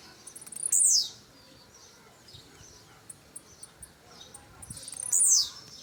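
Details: A brownish 'pardinho' blue-black grassquit on show. Quick high ticks lead into a loud, buzzy, falling note. The pattern repeats after a little over four seconds, with scattered soft chips in between.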